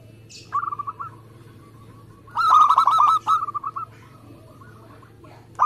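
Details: Local zebra dove in fast competition-style song. A soft stuttering phrase opens, then a loud burst of rapid rolling coos trails off into quieter notes before a final sharp note.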